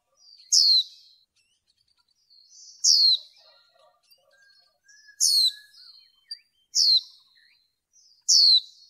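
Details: Female white-eye used in bird training to rouse males gives five high, sharp, descending chip notes at irregular intervals, with faint chattering between calls.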